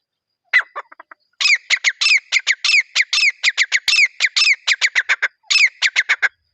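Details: Partridge call used for attracting partridges when hunting: a loud series of harsh, squawking notes with a ringing quality, delivered in quick bursts after a few hesitant opening notes, then a brief pause and more bursts.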